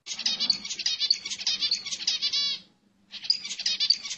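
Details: Zebra finch song meant to stimulate and excite females for mating: a rapid run of dense, buzzy, nasal notes lasting about two and a half seconds, a brief silence, then the phrase starts again, over a faint low hum.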